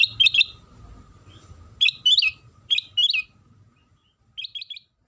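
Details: Sooty-headed bulbul song used as a lure to prompt other bulbuls to reply and sing, with clustered sharp chirps in quick bursts separated by brief pauses, a low background rumble, then near silence before a final triple chirp.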